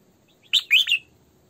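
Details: Decoy female red-whiskered bulbul gives one quick, lively phrase: a sharp chirp, then two slurred, whistled notes in close succession, against a quiet background.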